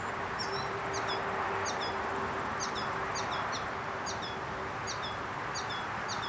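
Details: Paired high chirps and short descending whistles from a yellow finch feeding young, repeated fairly evenly about twice a second, with a steady low tone and hiss behind.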